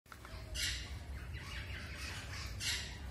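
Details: A caged rosella parrot in India gives harsh, broadband squawks, two loud bursts about two seconds apart with softer chatter between, over a steady low rumble.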